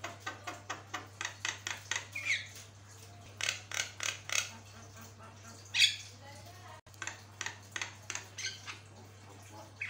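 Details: Jalak kebo song: long runs of rapid clicking and rasping chatter notes in quick series, with brief gaps and a few whistled accents, over a constant low hum.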